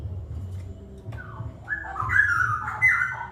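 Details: Wild straw-headed bulbul in rapid 'ropel' song: after a quiet start, a rich fluty warble of gliding whistled notes begins and grows louder, tumbling up and down, with low rumbling noise throughout.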